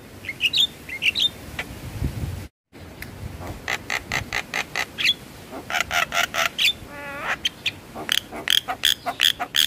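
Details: Javan myna, played to stimulate stressed caged birds to sing: squeaky chirps, a short dropout, then runs of dry clicking notes, a buzzy trill and sharp whistled chips.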